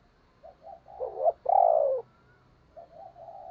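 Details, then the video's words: Spotted dove used as a decoy to make other doves coo. Soft short notes build to a sharp stuttered note and one long loud falling coo, then quieter trailing coos, over a faint low background hum. "Tiếng Chim Cu Mồi dùng Kích Bổi Hiệu Quả Mở Là Gáy"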